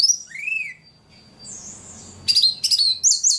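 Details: Ledekan singing hard: a rising-falling slurred whistle, a thin sustained note, then bursts of rapid high chattering notes and sweeping whistles.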